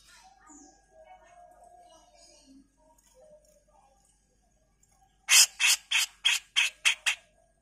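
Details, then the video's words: Songbird-training recording of a grey-cheeked bulbul in rough 'mbeset kasar' voice. Faint soft notes give way to a sudden string of seven loud, grating bursts in steady quick succession. "Masteran CUCAK JENGGOT GACOR FULL MBESET kasar"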